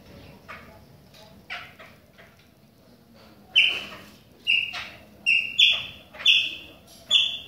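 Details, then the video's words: Singing in the rain, a Chopi blackbird opens with scattered soft clicks, then gives strong, bright whistled phrases roughly every half second to second, each note starting abruptly and sometimes rising. "PÁSSARO PRETO CANTANDO NA CHUVA !"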